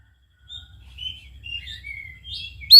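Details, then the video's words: Oriental magpie-robin song used to provoke a quiet bird into singing: soft, thin whistled phrases and short slurred notes at moderate pitch, ending in a sudden loud sharp chirp. "PACINGAN &MASTERAN KACER MALES BUNYI"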